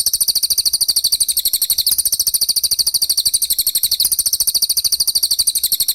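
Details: Continuous cililin song from a long tutor recording for cage birds, a steady, very high chattering trill of evenly spaced buzzy notes that rises and falls slightly in pitch throughout.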